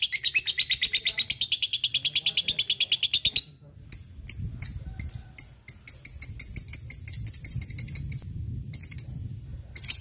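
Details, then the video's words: Lovebird fighter ngekek, a lure to train lovebirds: a long, very fast, high chattering trill for over three seconds, then shorter clipped bursts of sharp ticking notes with brief gaps. "Auto ngekek Pancingan lovebird fighter ngetik ngekek untuk pelatihan lovebird bahan rajin ngekek"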